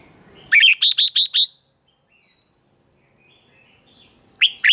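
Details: Red-whiskered bulbul singing for a contest: a crisp run of five evenly spaced, bright chirping notes, then long silence before another phrase begins at the end.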